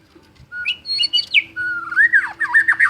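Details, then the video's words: White-rumped shama described as a champion, full-voiced singer: clear whistled notes, upward-sliding phrases and fast warbled trills in a lively burst after a quiet start, over a steady low background hum. "Murai Batu Gacor Juara: Kicauan Penuh Gaya dan Energi"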